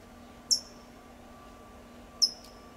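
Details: California towhee in Del Monte Forest, California, giving tsip calls: two sharp, very high, brief notes about 1.7 seconds apart, with a faint steady low hum underneath.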